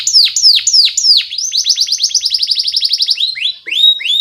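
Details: Canary song serving as a master lure for young birds: spaced descending sweeps give way to a fast rolling trill of bright repeated notes, ending in a few slower rising whistles.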